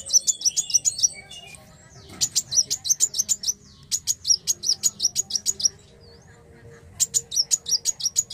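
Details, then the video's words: Black sunbird song in repeated bursts of rapid, thin, high-pitched chipping notes, each run lasting one to two seconds, separated by short quiet gaps with a faint low hum behind. "Kicau Merdu Kolibri Wulung Gacor Narung"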